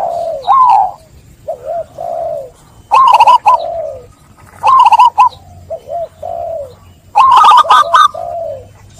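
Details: Song of a zebra dove, played as a lure for doves silenced by stress from trapping. Three bursts of rapid stuttering trilled notes, separated by soft low purring coos, over a low background hum.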